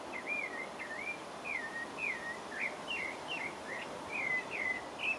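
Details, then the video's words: Pale-breasted thrush in French Guiana giving a continuous song of brief whistled notes, each a quick up-and-down slur, strung in a fast, varied series against a steady hiss. "Pale-breasted thrush (Turdus leucomelas) - singing"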